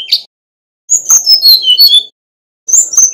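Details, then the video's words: Bali male Brown-chested jungle flycatcher in fluting song: a brief note, then a rapid string of high, bright whistles falling and rising, and a fresh phrase starting after a short gap. "Kicau Burung Sikatan Rimba Dada Coklat (SRDC) Bali Jantan Nyuling Gacor Isian Keluar"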